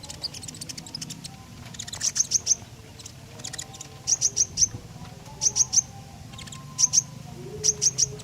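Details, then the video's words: Common iora song for prompting other birds: short groups of three or four crisp, very high chips, each group separated by about a second of near-quiet, with a faint low hum beneath. "Burung KONIN Gacor, Sangat Cocok buat Pancingan"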